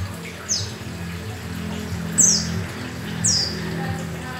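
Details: Oriental white-eye (yellow-breasted pleci), singing with open beak, giving three thin, high, falling chirps one to two seconds apart over a steady low background hum.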